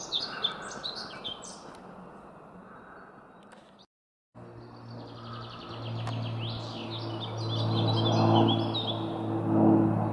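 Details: European pied flycatcher song in high old woodland, where males sing in spring to advertise territory; bursts of high, rapid chirping phrases at the start and again from the middle onward, over a steady low hum and a brief silent gap.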